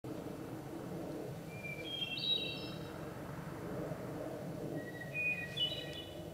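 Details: Wood thrush song: two flute-like, layered phrases about three seconds apart, each climbing to a bright ending, over a steady low rumble of background noise.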